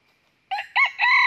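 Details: A red junglefowl rooster gives a short, clipped crow of three harsh, rising-then-held syllables after a moment of quiet, during trapping of wild junglefowl with a fighting decoy rooster.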